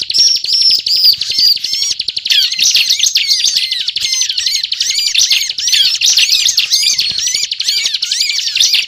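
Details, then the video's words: Ciblek (bar-winged prinia) in continuous lure song: a run of repeated high whistles, then a thick jumble of fast chirps and trills without pause. "Suara Ciblek Gacor Ngebren"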